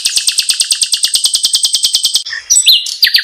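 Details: Luring call of the pancawarna bird: a rapid, steady train of high chirps, followed by a few varied whistled and rising notes.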